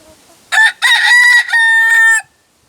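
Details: North Holland Blue rooster crowing: a loud, harmonic crow lasting under two seconds, with a brief opening note, a long strained middle phrase and a steady held final note, followed by silence.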